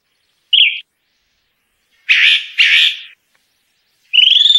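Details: A Chalk-browed Mockingbird in the Brazilian caatinga sings a brief clear note, then two loud, rough, churring phrases and a fast rising trill, with quiet pauses between.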